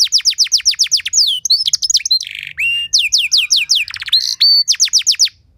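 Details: Canary training song with ornate 'cengkok mewah' variations to provoke other canaries to sing; quick series of falling whistles, a buzzy chattering patch, a rising slurred note, then more repeated descending whistles.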